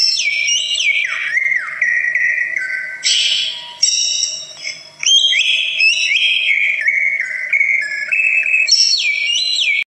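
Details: Varied song of a greater green leafbird, which draws other birds into singing: long stretches of swooping, sliding whistles and abrupt shifts between high and mid phrases, almost continuous, over a steady electrical hum.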